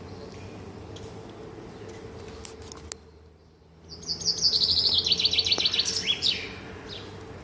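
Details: Morning birdsong: after a near-silent pause, a rapid high trill of evenly spaced notes sliding slowly downward for about two seconds, ending in a quick rising flick, with a faint background hum.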